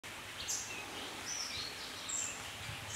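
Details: Oriental dwarf kingfisher (Ceyx erithaca), one of a pair, gives thin, very high, shrill notes, five or so scattered over three seconds, against a steady hiss of background noise.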